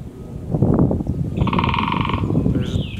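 Great spotted woodpecker giving a short, harsh, rapidly pulsed chattering call over low rumbling noise.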